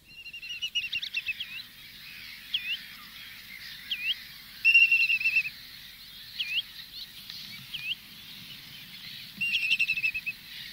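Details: Flock of spotted redshanks at Minsmere, recorded medium close-up, giving flight calls and trills: sharp, looping whistled notes repeated irregularly, with rapid buzzy trills around five and ten seconds; gulls and terns are faint in the distance.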